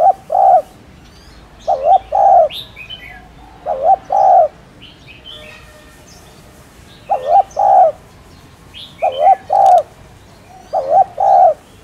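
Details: Spotted dove repeating its two-note coo six times at fairly even intervals, low and soft, while several small birds chirp and twitter higher in the background.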